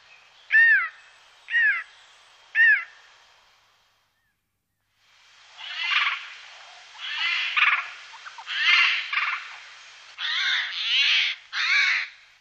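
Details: Eurasian jay recorded in the Wittlicher Tal in 2018. Three short, evenly spaced chevron-shaped calls come first. After a silent gap follows a long series of coarse, harsh screeches, each about half a second, repeated steadily.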